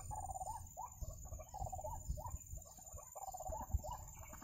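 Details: White-breasted waterhen during bird trapping, uttering a string of rough, rising croaks in irregular bursts, partly masked by low rumbling and thudding noise.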